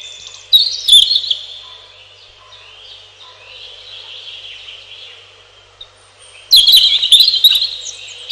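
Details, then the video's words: Robin song: a bright high twittering phrase opens, soft thin descending notes follow through a long quieter middle, then another loud rapid warbled phrase near the end. "1 Hour Robin Bird"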